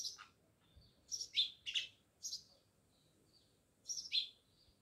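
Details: Jamnagar village house sparrows, chirping in paired and single bright notes, some dropping in pitch, spaced by short silences, with a final double chirp.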